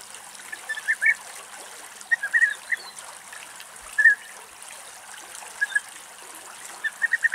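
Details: European bee-eater (Merops apiaster) in Greece in August gives liquid, rolling 'prruip' calls in loose bursts of two to four every second or two, over a steady hiss of wind or running water.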